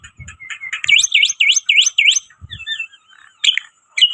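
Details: Black-winged myna in loud lure-bird song: a run of five quick V-shaped whistled notes, then scratchy twitters and short high chips, with faint low thumps at the start and near the middle.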